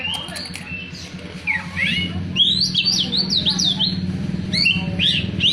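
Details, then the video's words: Oriental magpie-robin song of rapid, repeated high zigzag whistles and short chirps, becoming steady and loud after the first two seconds, over a constant low droning hum. "Suara kicauan burung kacer"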